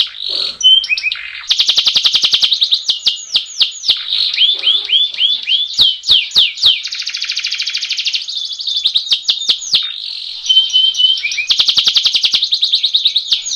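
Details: Canary rolling song used as a training recording to get birds singing: long fast trills and rattling rolls alternating with rapid down-sweeping chirps and short whistled notes, loud and continuous with sharp clicks scattered throughout.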